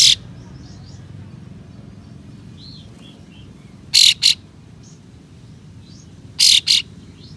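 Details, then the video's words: Kapas tembak with tail open, uttering rough 'besetan' shots that goad other kapas tembak. Paired rasping bursts arrive twice, about two and a half seconds apart, over soft whistles and a steady low hum. "Kapas Tembak Buka Ekor Full Besetan Kasar Pedas Untuk Memancing Katem Lain Agar Bukor"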